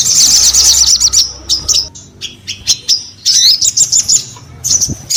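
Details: Crimson sunbird in lively song, opening with a fast high trill of tinkling notes, then separate sharp chips and short whistled strokes spaced irregularly, a second rapid trilled burst near the end, with low hum beneath.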